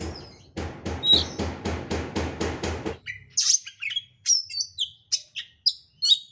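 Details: Oriental magpie-robin singing hard and fast, a lure recording: a steady train of about ten harsh rattling pulses, then a quick string of sharp high chips and short whistles, roughly three per second.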